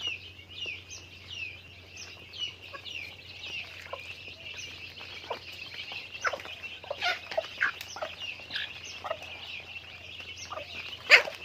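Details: Chickens in daily activity: a flock produces many high, thin peeps, repeated rapidly and overlapping, with scattered clucks and a faint low hum.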